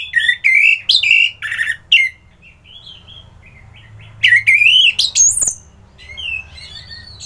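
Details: Orange-headed thrush singing vigorously: loud, varied bursts of shrill, chattering whistled notes, several quick phrases in the first two seconds, then a pause, then another rich run with rising and falling whistles, followed by softer warbling.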